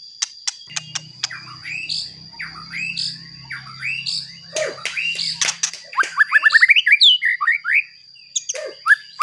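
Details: Lure song of a white-rumped shama to make other shamas agitated: clicks and harsh notes, then a rapid rising series of repeated whistled notes, with a low hum and a constant high tone.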